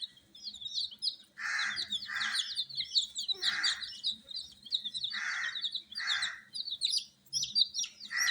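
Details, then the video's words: Coloured baby chickens, raised with added warmth, peep continuously in a high, shrill chorus of short falling notes, while loud hoarse bursts break in at irregular intervals. "Baby "Chicks Chirping" Sound"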